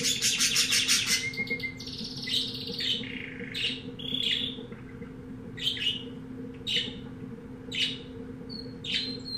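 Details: Pet-shop canary of unknown breed, kept as a new pet and singing a lot, opens with a fast, dry rattling trill, then bright whistled notes and short rising chirps spaced about a second apart over a steady low hum.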